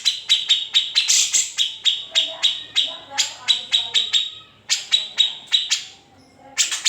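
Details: Grey-cheeked bulbul song in an unedited recording meant for training other songbirds. Clusters of sharp, fast ticking notes are broken by short pauses, with a brief silent gap before the chatter resumes.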